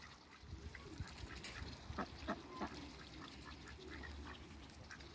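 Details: Two male and one female Muscovy ducks meet waterbirds in a backyard; three short, harsh, breathy calls arrive in quick succession near the middle, over steady low rumbling background noise.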